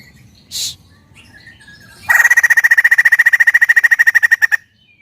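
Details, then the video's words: Captive white-crested laughingthrush giving a loud rapid series of ringing, even notes, about seven per second for two and a half seconds, after one short hiss-like burst. "Suara Lantang Burung Poksay Jambul Putih"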